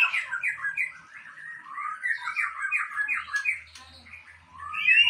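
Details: White-rumped shama of the Aceh type, kept as breeding stock, singing a continuous run of varied, slurred whistles and short chattering phrases that rise and fall without pause, with a faint low hum underneath.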